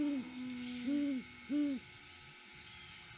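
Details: Male Great Horned Owl visiting his nest tree alone at sunrise, 6:17 AM on August 12, 2022, in the off-season, on a live cam: three deep, even hoots about 0.7 seconds apart over a steady low hum.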